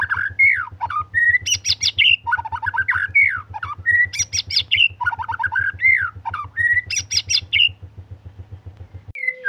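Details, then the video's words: Continuous white-rumped shama song made of repeated phrases roughly every two seconds, each mixing rich whistles with harsh buzzy bursts, over a rapid low mechanical pulsing that stops near the end. "Murai Gacor Full Durasi"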